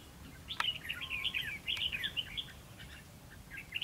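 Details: Red-whiskered bulbul heard during bird trapping on 11 November 2016; a quick run of bright, chirpy, warbled notes, rising and falling, with two sharp clicks and light background noise.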